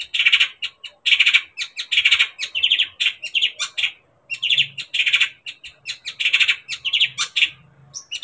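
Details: Long-tailed shrike song, played to provoke a pet shrike into agitation and singing: harsh, scratchy chattering bursts, quick rasping notes in rapid clusters, each about half a second, separated by brief pauses, with sharp clicks.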